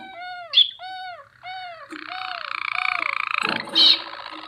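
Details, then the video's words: Water canary singing: a few short, downward-arched notes, then a long, steady, bubbling roll lasting about a second and a half, ending in a sharp, bright note. "water canary singing"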